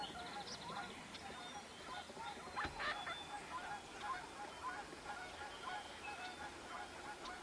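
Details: Several wood ducks pairing off call over one another with short squealing and honking notes, some rising, in busy continuous chatter against faint background noise.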